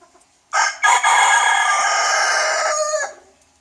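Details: A young rooster gives a full crow: a short hoarse opening, a brief break, then a loud, rough, sustained note held for over two seconds before fading off.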